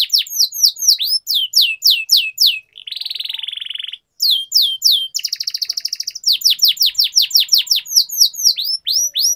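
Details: Singing canary for song training, long-roll style: runs of quick downward-slurred whistles broken by a dense buzzy trill, a short silence, a pulsed rolling trill, then more rapid swooping notes.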